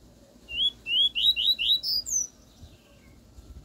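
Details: Double-collared seedeater singing pure 'tui tui' style song, used as a tutor for a young bird: about seven clear, rising whistled slurs in quick succession, ending in higher, longer sweeping notes, over quiet background hum.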